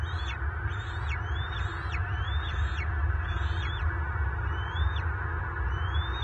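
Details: Bald eagles, March 24, 2023, Southwest Florida: a father bringing food to his eaglets is pursued by an adult intruder, and they lock talons and fall to the ground. A rapid run of high piping, falling chirps, about a dozen, over heavy low wind noise.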